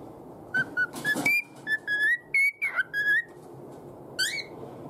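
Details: A pet cockatiel whistles an altered version of the Japanese children's song Hato Poppo. Clear, pure whistled notes step up and down at a mid-high pitch in short separate tones, with a brief higher trilled flourish near the end.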